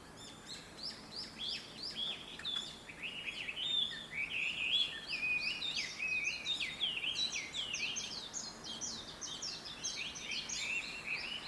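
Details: Sunrise chorus from birds in a big black locust tree next to a town house, recorded through a window: busy streams of high chirps and short slurred notes, many voices overlapping, with a faint background hum.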